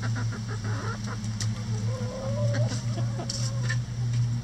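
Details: Chickens attack a cabbage ball hung in their run to relieve boredom. A run of quick clucks gives way to a long, wavering, gently rising call, with more clucks and a steady low hum beneath.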